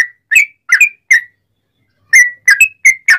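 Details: Sooty-headed bulbul singing loudly in a cucak rowo-like style, used as a master recording to prompt other bulbuls to answer: two short bursts of four bubbly whistled notes near mid-pitch, separated by a one-second pause.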